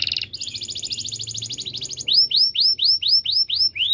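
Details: Canary singing to prompt silent canaries: a brief buzzy note, then a fast rolling trill, followed by a run of loud, evenly spaced rising-then-falling whistled chirps.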